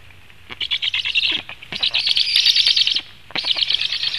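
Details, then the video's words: Black storks in Latvia at feeding time, 17 July 2015, 16:57; three bursts of thin, high, rapid chattering calls, separated by short pauses, with a faint low rumble underneath. "Latvian Black Storks - Feeding"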